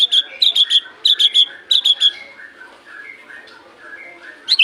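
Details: Murai batu (white-rumped shama) lure recording for mornings and evenings: sharp high chips in tight groups of three, repeated about every half second, over soft lower warbling that fills the gaps.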